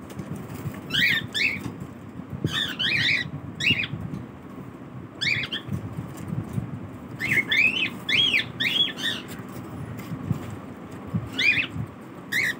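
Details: Cockatiels in a colony during their morning routine give repeated harsh, rising chirps in short bursts over a low rumbling background.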